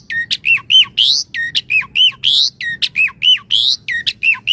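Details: Javan pied starling in full 'gacor' song with varied 'isian mompa' filler phrases, used as a daily master song and lure for starlings; loud, rapid series of hooked whistled notes alternating with harsh, broad squawks, about four notes per second, over a faint low hum.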